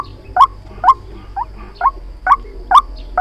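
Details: White-breasted waterhen calling on a trapping lure recording, giving loud, clipped croaking notes at roughly two per second with brief gaps, each note sharp-edged and mid-pitched against a low background hum.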